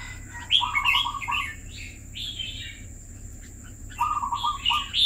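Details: Two-year captive red-whiskered bulbul repeats its song twice: lower buzzy stuttered notes mixed with higher sweet slurred whistles, separated by a short gap, with a faint continuous high whine and low hum behind.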